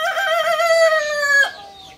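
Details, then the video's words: Kukuak Balenggek rooster, a native chicken of Solok, West Sumatra, crowing: one loud, steady, harmonic note held about one and a half seconds, then cut off sharply, leaving a faint fading tail. "Ayam kukuak balenggek ( akb ) ayam asli solok sumbar"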